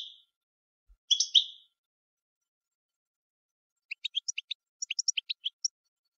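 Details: European goldfinch gives one buzzy, nasal double note, then after a pause a quick, irregular tinkling run of high, clipped notes.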